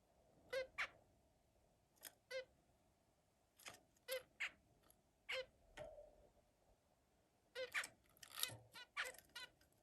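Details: Zebra finch calling: short nasal, buzzy honks with stacked harmonics, given singly or in quick pairs at irregular intervals, with a faint steady background hum.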